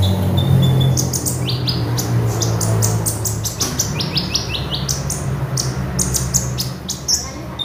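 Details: Lively magpie robin song for training birds: rapid series of sharp, high, clipped notes and short rising whistles, about four per second, with a loud low droning hum throughout.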